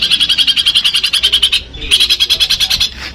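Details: Long-tailed shrike, a kept Madura bird from Pamekasan, singing learned material in the full Armagedon style: fast rattling buzzy notes repeated about three times a second in two bursts separated by a short pause.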